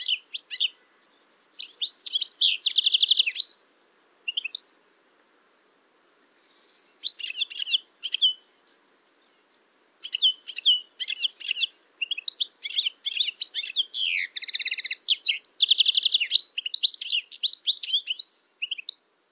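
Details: Spring song of a male European goldfinch, typical twittering recorded with a Stereo MK3 microphone and Tascam DR-22WL: separate bursts of high tinkling and buzzy notes with silent gaps, then a longer, continuous run of rapid twittering and trills.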